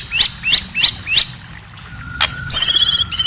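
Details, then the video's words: White-rumped shama heard at night: four evenly spaced high upswept chirps, a pause, a brief thin whistle, then a dense burst of layered high notes. "Murai Bird Serenade: A Night of Enchanting Chirps"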